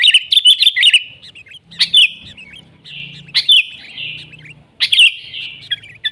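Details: Sooty-headed bulbul in natural, lively song in the style called nggaruda: bright warbled phrases, each opened by a sharp chip and trailing into a fluty, slightly descending note, repeated about every one and a half seconds, with a faint low hum behind.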